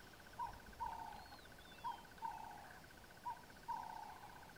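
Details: Low, mellow paired hoots from a Burchell's coucal, Kruger National Park near Satara Rest Camp, a clipped note and then a longer one, three pairs in a row, with a steady pulsed trill and a faint high whistle.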